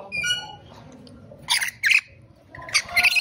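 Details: Rainbow lorikeet giving harsh, broadband screeching squawks in short bursts, two or three in quick succession, then a pause before another pair of rasping shrieks; an earlier faint tonal, harmonic note is heard at the start.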